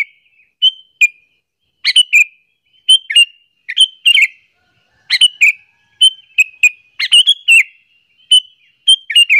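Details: Sooty-headed bulbul calling to lure and anger other bulbuls: steady series of quick chirped and whistled notes in pairs and triplets, bubbly and slightly descending, spaced about every second; no other sounds.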